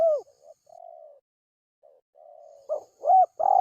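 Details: Spotted dove call played as a lure for wild doves: soft muffled coos, a pause, then further low coos building into a louder group of hooting notes at the end.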